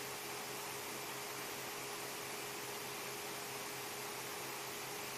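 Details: Constant loud hiss with a steady low hum fills the recording, and no animal sound stands out.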